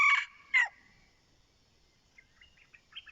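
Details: Decoy red junglefowl cock crowing: the clip opens on the end of a crow, with a harsh note and a falling downslurred syllable, followed by soft chirps from other birds in the background.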